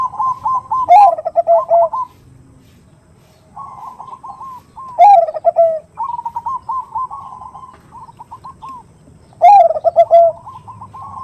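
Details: Zebra dove (perkutut) female calling to the male, the nutut sound used as a lure: a rolling coo phrase ending in a loud, lower, drawn-out note repeats three times, about every four seconds, with quieter warbling between.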